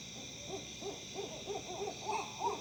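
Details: Owls in Tennessee give a quick run of short, arched, mid-pitched hoots, about three a second, over a steady high hiss; odd monkey-like calling that the owner suspects may be mating.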